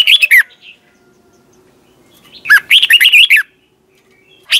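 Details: A red-whiskered bulbul gives morning competition song in the twisting-voice style, used as a lure for training: a short opening burst, silence, then a longer run of fluty, twisting notes, with a final phrase just beginning.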